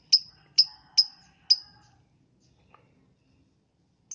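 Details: Morning lovebird chirping meant to prompt other lovebirds into song: four piercing, high notes in quick succession over the first second and a half, then near silence, with one more chirp at the very end.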